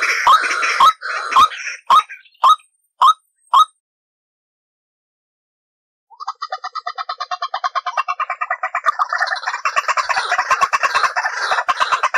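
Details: White-breasted waterhen lure call used for trapping: a few loud harsh notes at the start, a silent gap, then a long rapid run of croaking, clucking notes repeated nearly twice a second, building in density.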